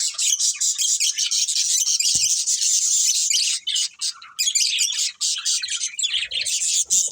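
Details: Budgies from a breeding pair pour out loud, unbroken, twittering chatter, high and buzzy, with a single click early on.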